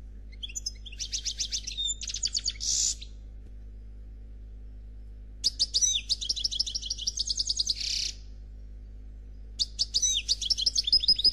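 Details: Khalwi black goldfinch in faultless song, three bursts of fast buzzy trills and twittering notes separated by silent gaps of a few seconds, over a low steady hum.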